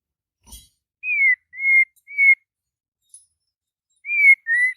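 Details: Morning song of a white-rumped shama: clear, slightly falling whistles given one after another, three in quick succession, a pause of nearly two seconds, then two more.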